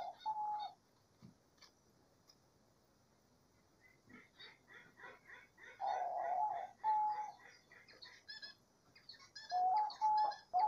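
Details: Diamond dove cooing in nature among chattering small birds. Smooth, level, mid-pitched coos come singly and then in a closer cluster near the end, mixed with high, rapid chirps and twitters from other birds.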